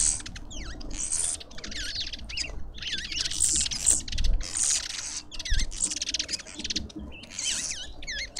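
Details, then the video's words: Several lovebirds at a garden feeder in suburban Pretoria, South Africa, keep up a near-constant shrill chatter of harsh, screechy bursts mixed with quick down-slurred chirps, almost without pause. "Lovebirds endlessly"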